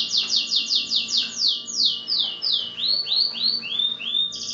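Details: Singing canary, Belgian or native 'da terra': a fast run of repeated falling high notes, slowing into a series of rising-then-falling arched notes and a final high whistle.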